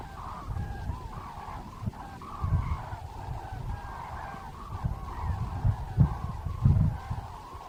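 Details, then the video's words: Departing cranes over the Svislach river floodplain in autumn, 29 September 2018, give a chorus of rolling, trumpeting calls in quick succession. Heavy low-pitched wind noise and occasional thumps run underneath. "Farewell Cranes"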